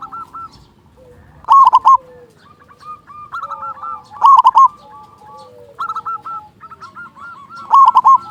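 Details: Local zebra dove, loud and persistent, used to stimulate other doves to sing: four rolling coo bursts about every two to three seconds, interleaved with quieter runs of clipped notes from neighbouring doves.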